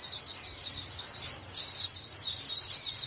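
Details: White-eyes in a flock calling back and forth, a recording meant to get caged birds singing; thin high twitters and descending chirps pour out in three rapid overlapping bursts.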